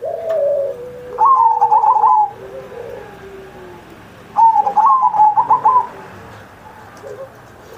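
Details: Zebra dove singing vigorously on Indonesian Independence Day, as a model for doves still learning: two loud rapid trilled coo phrases about three seconds apart, with softer low cooing in between.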